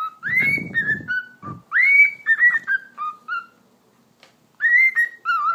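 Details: A talking pet cockatiel gives a whistle show: bright upswept whistles that rise and level off, then short falling and stepping notes in quick succession. Low rustling comes early, followed by a pause before a final run of whistles.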